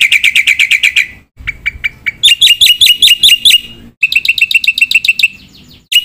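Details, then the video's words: Black-winged myna in energetic song rich in mimicked phrases: quick chirp bursts, a series of looping whistled notes with upward hooks, then another run of sharp repeated chirps, separated by abrupt pauses. "jalak putih gacor suara full isian"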